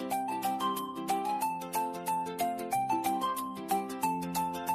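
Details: Gentle marimba-like melody with regular plucked notes and no animal sound.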